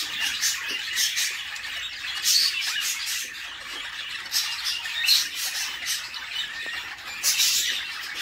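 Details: Inside a nest box a female budgerigar feeds her babies; the chicks give grating, buzzy squawks in a constant rasping din, with several louder harsh bursts spaced a few seconds apart.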